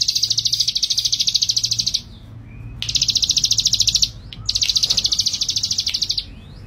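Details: Male ciblek gunung, described as a prolific and bold singer, gives three long, high buzzy trills of rapid even pulses, each lasting over a second, with short pauses between bursts.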